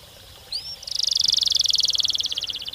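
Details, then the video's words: Canary in rolling song, recorded to coax other canaries into singing: a thin rising whistle, then a long, rapid, buzzy trill of evenly spaced notes over faint background hiss. "Burung kenari gacor ngerol ngedur panjang, Suara Kenari gacor speed rapat untuk pancingan kenari"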